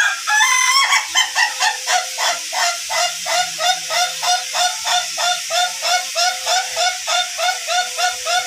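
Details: Duration-type Ayam Ketawa rooster trained to hold its crow for up to three minutes: a loud opening burst, then a long, even string of laughing 'ha' notes, roughly three per second, with a hissing background.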